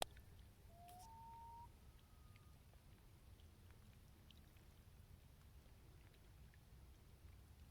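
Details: Common loon on Lake Champlain at North Hero, Vermont, giving a single faint, pure rising wail that steps up in pitch and holds before fading, against a steady low rumble of wind and water.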